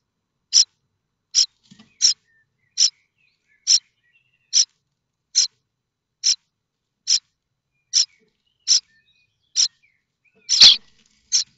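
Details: Nestling common starlings at Théding, France, 7 May 2024, calling for food from the nest. A long, fairly steady series of about fourteen short high rasps, roughly one every 0.8 seconds, with one louder, broader burst near the end.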